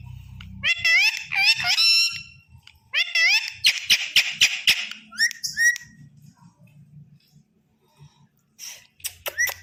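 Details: Pet Indian ringneck parakeet, tame and said to talk clearly, produces bursts of rich harmonic chatter and rising whistle-like phrases in a small room, broken by sharp clicks, with a quiet gap before a last brief call.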